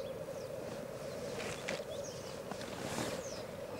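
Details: A black grouse lek with 38 cocks, recorded at Elverum in 2008: dense bubbling rookooing from many birds, overlaid with breathy hisses and faint high descending whistles.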